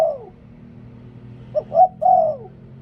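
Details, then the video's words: Spotted dove kept as a decoy bird, liu tan style: the tail of one falling coo, then a full phrase of short coo, rising note and long descending coo, over a steady low hum. "หลิ่วตัน เสียงนกต่อ นกเขาใหญ่"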